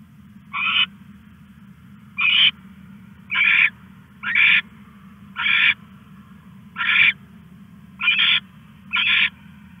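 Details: Owl calling at night while stashing a rat, 21 August 2015 at 1:41 AM: eight short, rasping hissed screeches repeated at uneven intervals of about one to one and a half seconds, with constant low background hum.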